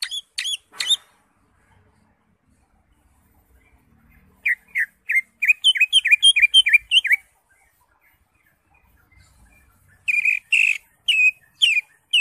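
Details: Caged green leafbird in full song, used to prompt other caged birds to sing: bursts of rapid, clear whistled notes near the upper-middle range, a run of quick slurred phrases, then a second burst after a pause.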